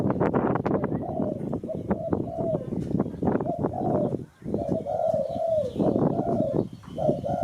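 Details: Repeated spotted dove cooing, used to attract birds for catching, runs through steady crackling and knocking noise: short low coos in paired phrases, with a clearer group of three mellow, slightly falling coos midway.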